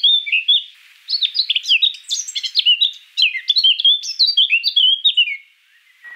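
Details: A Eurasian Blackcap gives a rich warbling phrase after a short opening, with quick rising and falling notes tumbling for about four seconds before fading.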